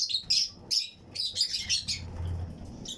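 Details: Fischer's and lutino lovebirds chirping in a flight colony aviary among other birds; quick series of shrill, buzzy chirps tumbling together, several birds calling at once, with a soft low hum behind.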